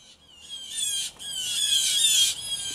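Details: Blue jays, three to five birds, fighting over territory in a tree just outside a home; loud, harsh, raspy squawks with a descending ring, nearly continuous and building in intensity, with brief gaps between bursts.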